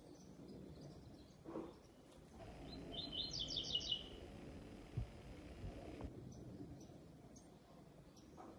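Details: Double-collared seedeater in a singing show, giving a special song: faint high notes early, then around the middle a short burst of quick, repeated high-pitched notes, all over constant low background noise.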